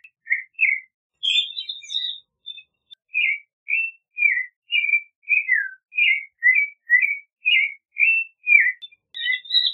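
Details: Clay-colored thrush delivering a long, continuous string of short fluty phrases, each warbled and slurred, following one another at a brisk, slightly irregular pace, with a few high thin notes early on.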